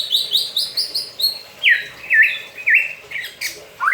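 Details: White-rumped shama singing in its cage during a bath: a run of repeated high whistled notes followed by several looping, dipping whistles.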